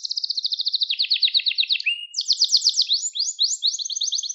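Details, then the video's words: Canary song, offered for training young canaries to sing: a string of rapid, bright, high trills whose speed and pitch shift every second or so, with brief breaks between rolled phrases and no other sounds. "Kuşunuzun Eğitimi İçin Orjinal Kanarya Sesi 2021 Kanarya Kızıştırma Kanarya Ötüşü"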